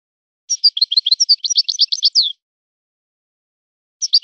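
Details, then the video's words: European goldfinch performing a song in a set style, one quick jumbled phrase of high tinkling notes lasting nearly two seconds, followed by a brief start of another phrase, with no background noise. "طائر من طيور لي تاتغرد على نمط طيور سي حسن الكلوب ولد الغابة"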